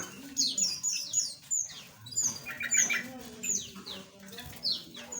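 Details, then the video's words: Small aviary birds chattering with repeated high, downward-flicking chirps, several in quick series, and some lower buzzy notes over faint background noise. "Relaksasi Suara Burung Asli - Jenis Burung Aviary Kecil"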